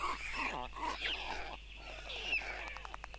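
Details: White stork father feeding four chicks at a nest in Tukums, Latvia, on June 13, 2022, filmed by a live nest camera; dense, nasal, harmonic calls in overlapping bursts, with a steady low hum underneath.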